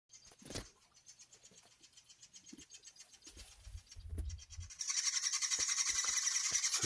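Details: Chimney swift chicks in a nest inside a house's fireplace chute in summer, calling as the mother arrives to feed them, heard from the living room; a rapid, dense, high chittering rattle that swells loud in the final two seconds, with a person speaking.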